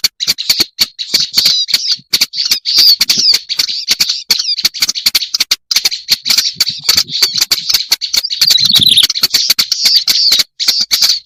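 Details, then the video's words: A long, unbroken stream of harsh, rasping chatter from a black-browed reed warbler on a lure recording, fast and insistent, studded throughout with sharp percussive clicks. "Suara pikat burung kerak basi alis hitam"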